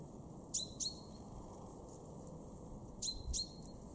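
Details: Garden male common chaffinch at Weener, East Frisia, Germany, recorded March 2023, uttering two pairs of sharp, high, down-slurred 'pink' notes with short ringing tails, a couple of seconds apart, over faint background noise.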